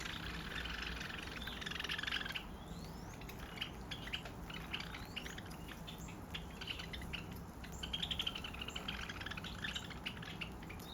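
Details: Sparrows that visit a house yard every day for food; a lively jumble of overlapping high chirps and tweets from several birds, busiest in the first two seconds and again near eight seconds, with low background rumble.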